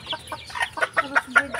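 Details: Red junglefowl (labuyo), one of many roaming free in a rural backyard, give a quick run of short, mid-pitched clucks, five or six in under two seconds, growing louder toward the end.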